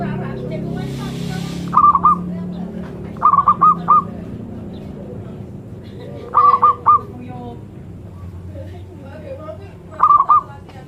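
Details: Sacred zebra dove giving short clusters of three or four fast, clipped cooing notes, repeated every few seconds, with murmured voices and a low hum behind.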